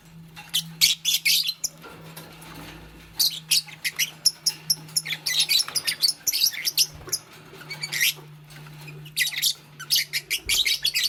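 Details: A green Fischer's lovebird building a nest alongside a pastel bird chatters almost continuously. Rapid, shrill, rasping chirps come in dense runs separated by brief pauses, over a low constant hum.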